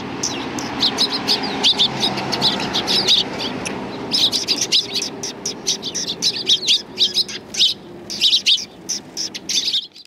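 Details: Sparrows flocking in to be fed on a shrine's front path, 24 April 2020; clusters of shrill chirps come in bursts separated by brief pauses, with low background hum.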